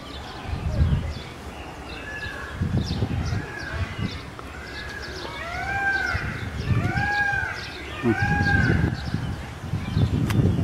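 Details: Peacock screaming at the Naples zoo, Italy: a series of loud, arching, nasal wails, each rising and then falling, repeated about once a second through the middle of the recording. Low human voices rumble underneath.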